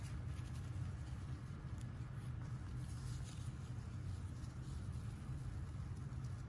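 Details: Steady low rumbling noise like a running vehicle or engine fills the recording, with no animal sound heard.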